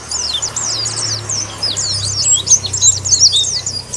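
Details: Challenging white-eye pours out a rapid, high chattering warble of looping up-and-down notes, somewhat irregular in pace, over a low hum.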